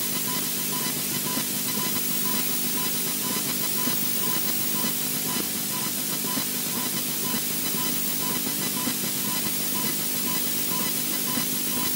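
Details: Steady broadband hiss with a low electrical hum and a faint pulsing tone, and no clear animal voice.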